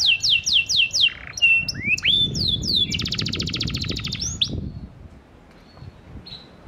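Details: Panda canary lure song aimed at prompting non-singing canaries to respond: sweeping whistles, rising slurs, a dense buzzy high trill, then the song fades into near silence with faint distant notes.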